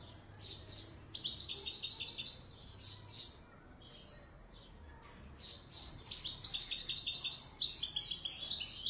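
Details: European goldfinch of the authentic Moroccan Ouidani Marrakchi song style, singing two loud bursts of rapid, high, tinkling twitters and trills, separated by a pause of several seconds with only soft background hiss.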